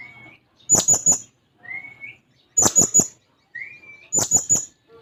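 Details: Blue-crowned hanging parrot in full song, seeking a rival: shrill high chip triplets about every one and a half seconds, each preceded by a short thin upslurred whistle.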